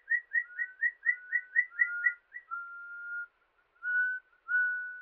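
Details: Haunting whistles of a rufous-throated partridge in a Himalayan forest, Uttarakhand, India: about nine quick double whistles, then long steady whistled notes separated by short pauses, in a quiet setting.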